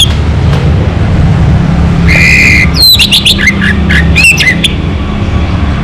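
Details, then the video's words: Orange-headed thrush song: a drawn-out buzzy note, then a quick run of sharp, slurred whistles rising and falling, over a continuous low background rumble. "Suara ANIS MERAH Lokal Gacor"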